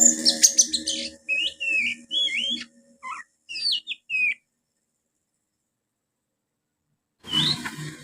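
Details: A young Oriental magpie-robin copies house sparrow. A noisy burst comes first. Then come high, slurred whistles and chirps, some looping up and down, in a scattered run. After a silence, a brief noisy passage follows.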